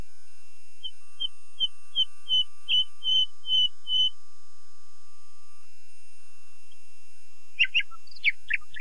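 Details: Common nightingale giving a row of about ten soft, clear piping whistles that swell slightly in loudness, then silence and a few sharp, high rasping notes at the end.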